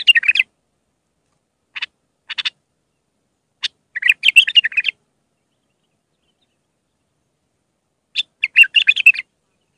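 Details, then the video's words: Iraqi bulbul in raw Mandali-style song, used for tutoring young bulbuls: short bursts of chirpy, warbled notes in four scattered phrases, the longest near four and eight seconds, with silent gaps between. "تغريد بلبل عراقي خام مندلاوي راقي ساعة كاملة التعليم افراخ البلابل"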